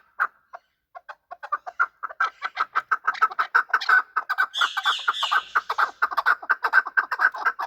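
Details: Fighting chukar partridge giving a steady run of clucking chuck notes, about two per second. The notes start sparse and build in pace, with a second, higher scratchy voice joining briefly midway.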